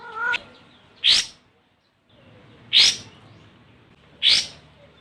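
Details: Olive-winged bulbul calling a rival, recorded as a lure to set other birds singing: a short harmonic note opens, followed by three harsh, buzzy bursts spaced about 1.6 seconds apart.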